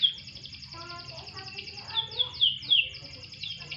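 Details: Canary during a brief sunbath giving spaced, bright downslurred whistles over a soft background of lower fainter notes, the phrases growing louder toward the middle.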